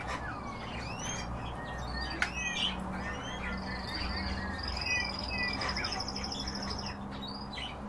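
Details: Several European bee-eaters trade short, liquid, rolling 'prruip' notes in a loose overlapping chorus, over a steady high insect buzz and a low hum.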